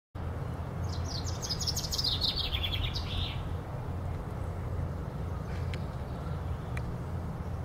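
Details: Common chaffinch singing in a tree at Powerscourt Gardens: one rapid, high, descending trill of sweet notes lasting about two seconds and closing with a brief flourish, over a steady low rumble of background noise.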